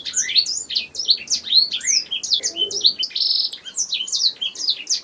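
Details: Continuous canary song meant as a master for songbird training, dense fast chirps and sweeping whistles, a steady buzzy tone held near the middle, barely any gaps.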